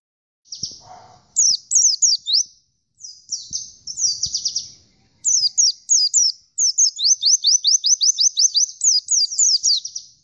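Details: Oriental white-eye singing persistently: bursts of very high, thin chirps, each a quick downward-sweeping note, run into rapid trills and separated by short pauses; faint low knocks underneath.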